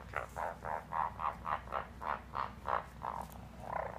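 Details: Caique parrot giving a laughing call indoors while trying to get around an orchid pot, a rapid run of about a dozen harsh, even 'ha' notes, roughly three to four per second, over low steady room hum.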